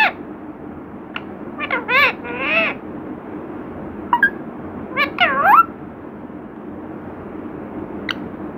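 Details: Talking parrot copying the words 'Radhe Radhe' makes a run of rapid, warbling, speech-like syllables, a pause, then another rising and falling phrase, amid steady background noise.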